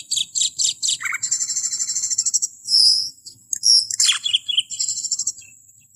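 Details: Camperling song recorded as a training track for cage birds: rapid, high-pitched chirps and buzzy trills with bright whistled notes, in quick bursts over a faint low hum.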